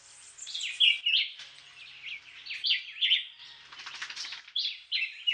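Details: Black-whiskered vireo (Julián chiví), a migrant breeding in Puerto Rico from February, delivering quick slurred whistled phrases, about one every two seconds, some notes overlapping with a brief rustling flutter midway.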